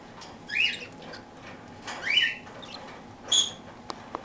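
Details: Parakeets eating their daily toast; three short, harsh rising squawks spaced about one and a half seconds apart, with faint clicks afterward.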